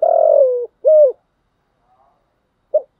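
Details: Spotted dove call used to train decoy birds and prompt caught doves to answer. A long hoarse coo slides slightly downward, then a shorter arched note follows, and a brief clipped note comes after a pause.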